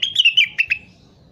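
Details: Crested partridge calling actively, for use as a tutor recording: about six quick, sharp chirped notes in under a second, the opening notes slurred and clustered, then trailing into a faint high whistle.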